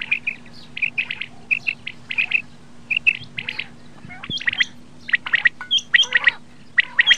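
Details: Common quail giving clipped three-note call phrases, each burst of quick sharp notes repeated roughly every second. Overlapping call series later thicken into a busier chatter, with a faint steady hum underneath.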